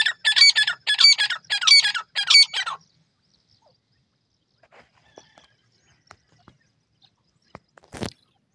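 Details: Shrill partridge calls in four quick harsh, ringing bursts over about three seconds, followed by near silence with faint ticks and one sharp knock near the end.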